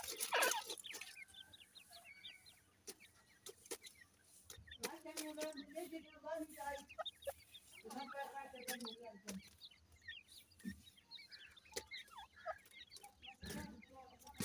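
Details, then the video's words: Grey francolin chicks feeding: sharp clicks and taps around clusters of high, trilling cheeps and mellow clucking phrases, with sounds coming and going in bursts. "dakhni teetar chicks feeding,Francolin chicks"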